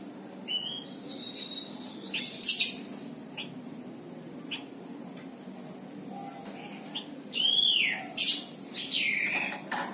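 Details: Plain prinia, a small brown tame bird known as flamboyan or mlinjon, whose chattering call serves as a tutor for songbirds; scattered faint chips, then a cluster of loud sweeping notes, each curving up and then down, near the end, with soft room hiss.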